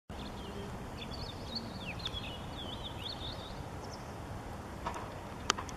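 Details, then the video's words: Crested lark, possibly the last one, at Haverleij, 's-Hertogenbosch, Netherlands, 20 March 2014, gives a few soft, fluid whistled phrases sliding up and down for about three seconds over steady low rumbling noise. "Kuifleeuwerik / Crested Lark"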